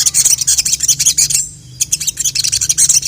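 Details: Sogok ontong, or sogon, chattering to call a male: shrill, densely packed high notes, a brief lull near the middle, then the rapid twittering resumes.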